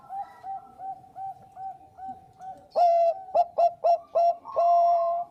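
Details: Zebra dove of the Bangkok type in full, lively song, used as a lure call: a run of soft, even coos about every third of a second, then louder ringing, stuttered coos with a long drawn-out final note.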